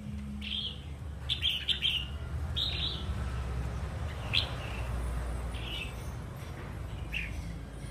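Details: Wild-caught adult red-whiskered bulbul, described as singing eagerly, repeats short, bright, slurred whistled phrases about once a second, some doubled, against a constant low hum.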